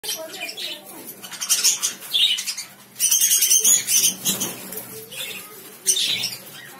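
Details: Lovebirds giving harsh, high chattering chirps in short bursts, with loud clusters around the middle and a final sharp burst near the end and quieter scratchy calls between them.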